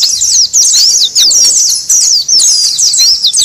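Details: Rapid, crowded high chirping of Oriental white-eyes as a lure for wild birds, sharp twittered notes in bursts of about half a second, separated by brief dips.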